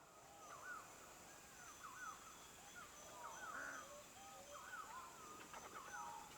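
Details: Male greater birds-of-paradise displaying with frenetic dances once females are near, at Badi Gaki Resort, give a loose chorus of short, looping, slurred notes from several birds over a steady high insect hiss.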